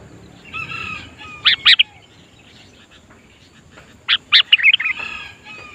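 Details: Sooty-headed bulbul in full song, used to lure wild bulbuls during trapping practice: two bursts of bubbly, warbling whistled notes around a second apart, then a longer cluster after a pause, over faint background chatter.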